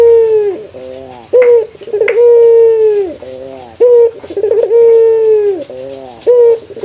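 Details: Local male Barbary dove (puter) calling a rival. Deep, steady coos run about a second each, separated by short, clipped, rising notes, repeating roughly every two to three seconds, indoors with little other sound.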